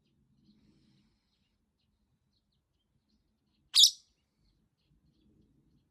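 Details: Pet masked lovebird protesting a week without play lets out one short, sharp, high screech amid near-silence and faint low room noise.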